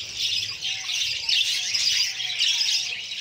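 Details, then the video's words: Budgerigar chicks begging while a female feeds them: a dense, continuous stream of harsh, raspy squawks high in pitch, swelling slightly around the middle, over a steady low electrical hum. "female feeding babies buggies parrots"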